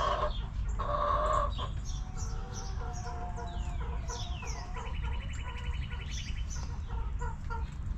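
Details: Backyard chickens relaxing around their coop, with harmonic hen clucks and a drawn-out murmuring call, while high descending whistles and a rapid trilling bird call come from wild birds nearby over steady low background rumble.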